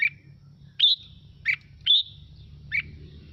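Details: Red-whiskered bulbul song, intended to get other birds singing: five short notes alternating between clear high whistles and lower buzzy chirps, with low rumbling noise behind.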